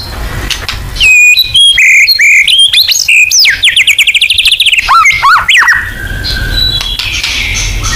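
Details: White-rumped shama delivering loud 'nembak' lure song: sharp whistles building into a rapid rising series of repeated notes, then a dropping warble, fading to quieter background chatter.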